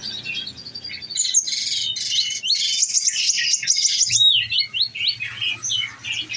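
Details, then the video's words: Caged olive-backed sunbird in full song, pouring out a dense, continuous stream of high twittering and squeaky notes, then a few separated chirps. "bunyi nembak nembak"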